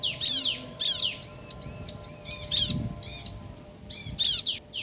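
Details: Bar-winged prinia duet, male and female answering, in crystal ciblek style. Loud high notes repeat in a rhythmic, bouncing series of arched chirps, with brief gaps between groups.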